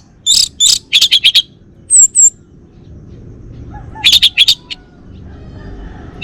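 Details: Male orange-headed thrush from Bali sings in bursts of sharp, high chirps, two quick pairs then a rapid run of four notes, a pause, and a second fast cluster of bright notes.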